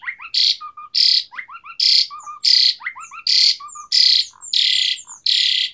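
An Asian pied starling sings a lively, varied song: harsh, rasping bursts about every three-quarters of a second, mixed with quick chirps and short whistled notes.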